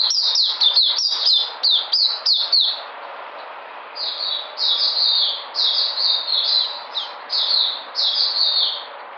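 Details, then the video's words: Energetic white-eye song from 13 February 2020: a quick volley of sharp high chirps, a two-second lull, then evenly spaced slurred whistled phrases repeated about every half second. "Puteh Sunday coming back in energy"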